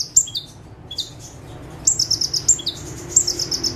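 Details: Perched bar-winged prinia (ciblek, prenjak tebu) delivering its chattering 'full tembakan' song: a few short falling whistles, a brief pause, then a fast run of piercing high pulsed notes, with faint low hum throughout.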